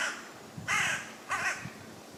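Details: Wild common raven perched in a woodland tree in West Sussex, England, giving two loud, rasping croaks about half a second apart over quiet background.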